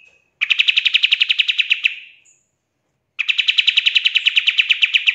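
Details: Pied triller delivering 'tembakan' bursts for training songbirds: two long, fast trills of sharp repeated notes, each lasting one and a half to two seconds, separated by a short silence.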